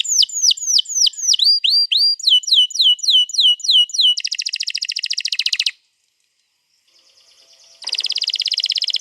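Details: Canary singing a long rolling song used to coax another canary into song, recorded 21 April 2022: repeated downward-sweeping whistles speeding up, then a dense buzzy roll, a brief silence and the roll again.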